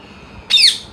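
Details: Parrot among its siblings gives a single loud, harsh squawk lasting about a quarter second, bright and falling in pitch at the end, against a quiet background.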